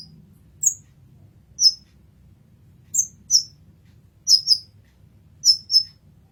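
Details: Kolibri ninja, the olive-backed sunbird, in masteran form: sharp high chirps, increasingly given as quick doubled notes, repeating roughly every second, with only soft low hum behind.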